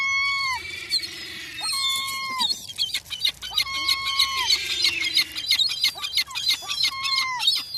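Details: Seagulls on a seafront on a cold Sunday afternoon give loud, ringing calls that slide down at the end, repeated in quick series, with sharp clicking and rustling noises between calls.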